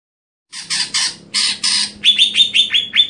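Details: Greater green leafbird in a stelan cucak hijau song style: harsh broadband squawks, then a run of rapid rising chirps near one steady pitch.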